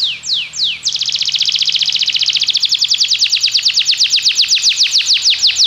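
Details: Belgian canary singing to train other canaries: a few separate downward-swept whistles open, then a long, fast, even roll of bright descending notes carries through to the end.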